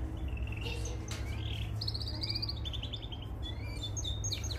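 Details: Canaries of the Mosaic type sing for training youngsters, with buzzy trilled phrases, short whistles and a rapid rolling series of notes, backed by a persistent low hum.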